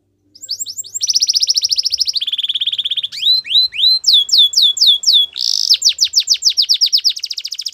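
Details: A Belgian canary delivers a rapid high trill, a lower buzzy trill, a series of curved whistles, then a harsh burst into fast repeated sharp notes.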